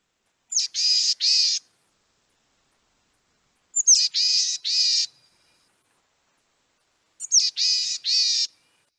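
A Boreal Chickadee gives three hoarse, raspy calls about every three seconds. Each opens with a thin high note followed by two or three buzzy, nasal notes.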